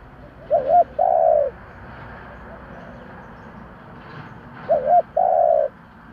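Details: Decoy spotted dove calling to lure others in the 'giọng thổ' style: two phrases, each a wavering double note then a drawn-out low coo, about four seconds apart, over faint hiss.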